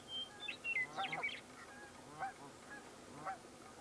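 American coot giving short nasal, honking calls, a quick cluster near the start, then single calls about once a second, with a few thin squeaky notes first.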